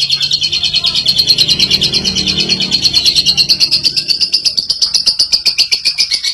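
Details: Lovebird in clear ngekek song, a rapid high chattering trill with a thin whistled tone that slowly rises through the run, over faint low background noise.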